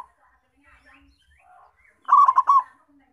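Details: Local perkutut (zebra dove) lure recording: faint soft chatter first, then one loud quick phrase of four rolling coo notes near the end.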